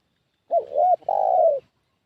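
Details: Spotted dove decoy call for luring wild doves, clean and close: a quick hooked opening note, an arched coo, then a long mellow coo drifting gently downward.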